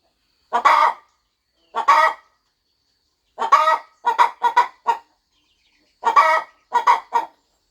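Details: Mother hen on a quiet farm nest preparing to hatch eggs, clucking in single notes, then quick clusters of three to four raspy clucks with pauses in between.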